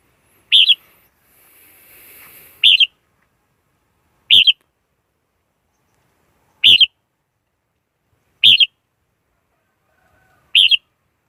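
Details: Red-whiskered bulbul lure song for trapping wild birds: six short, sharp, warbled phrases about two seconds apart, with a faint hiss between the first two phrases.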